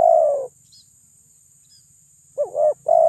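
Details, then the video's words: Spotted dove lure call meant to provoke rival birds: a long falling coo at the start, then silence, then a wavering double coo and a further coo beginning at the end, over a faint low hum. "Pancingan TERKUKUR suara besar bikin lawan semua emosi"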